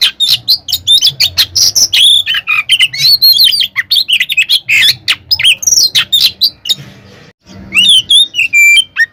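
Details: White-rumped shama singing its provoking fighting song: dense, fast run of whistles, chattering chips and harsh notes, a short silence near the end, then more whistled phrases.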